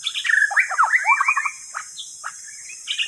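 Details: White-rumped shama song used as a lure for catching birds: a rapid burst of varied chirps, trills and slurred whistles, followed by sparse single notes and a steady high background hiss.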